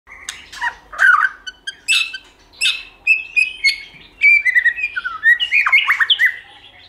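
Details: White-rumped shama, a kept bird being stimulated to sing in many voices with tail flicking; a varied run of clear whistles and rich warbled phrases around mid to high pitch, delivered in quick bursts with brief pauses.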